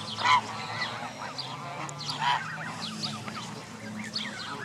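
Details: At Jess Ranch Lakes Park on May 23, 2014, Canada geese and goslings from dozens of families gathered. Two louder, clear calls stand out early and midway above a steady background of soft peeping and low hum.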